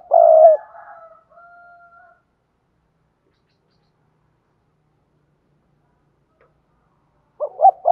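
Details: Thúc gù coo of a spotted dove, played to teach newly caught doves to coo. A short deep coo opens, followed by a thin level whistle, long silence, then two brief hoots starting another phrase.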